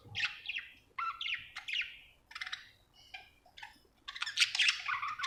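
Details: Happy pet budgerigar chirping; short rising and falling squeaky chirps in quick succession, roughly four per second, with pauses and a louder burst of scratchy chatter at the end.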